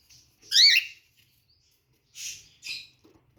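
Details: Cockatiel at its nest, nesting behaviour: one loud, grating call with a wavering, stacked tone, then a pause and two shorter raspy squawks in quick succession, in a quiet setting.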